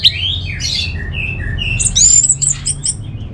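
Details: Orange-headed thrush singing: a rapid run of varied clear whistled phrases, some sliding down, others rising sharply to high, thin notes, all over a low steady background hum.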